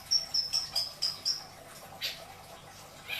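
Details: Caged long-tailed shrike in Indramayu, isian song: a rapid series of six thin, high ticking notes, then two softer rasping bursts.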